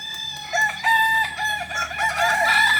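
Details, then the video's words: Kokok Balenggek rooster crowing during a practice contest at Ampang Kualo, Solok city: a long, multi-syllable crow of rich, ringing notes that step up and down in pitch without pause, with steady low hum beneath. "latberan ayam kukuak balenggek ampang kualo kota solok"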